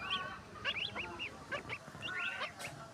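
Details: Swans in a village give short, nasal honking calls in quick, uneven bursts, several overlapping, with a faint low rumble underneath.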